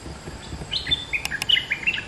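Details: Two-month caged bulbul used as a lure sings a brisk series of clear whistled notes, alternating higher and lower tones, with two sharp clicks in the middle.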